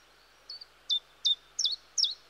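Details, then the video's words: Common chiffchaff (Phylloscopus collybita) singing in woodland: five short, high, sweet notes spaced about every 0.4 seconds, alternating slightly in pitch, with faint low background hum. "Charming Chiffchaff(Phylloscopus Collybita)Melodies"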